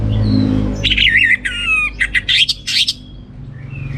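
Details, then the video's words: Orange-headed thrush singing in the teler style with abundant song material: a burst of varied whistled phrases, slurred and warbled around mid-high pitch, lasting about two seconds, over a steady low hum. "Suara Gacor Burung Anis Merah Teler Materi Melimpah 100% Jernih"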